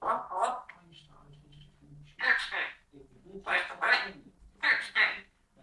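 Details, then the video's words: A pet parrot chattering at length, voicing short speech-like syllables in quick clusters, bright and raspy, separated by brief quiet gaps with a low steady hum underneath. "the parrot!!!!!! Chatting for a while!!"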